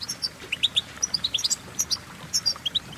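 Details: Goldfinch song: a neat series of clear, rising, whistled chirps and tinkling notes, each about a tenth of a second apart, in a quick lively phrase; quiet background.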